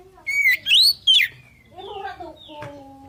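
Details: Oriental magpie-robin singing to draw a reply from other birds: a short burst of three loud whistled notes, one steady and two sweeping, followed by quieter, lower, buzzy chattering phrases.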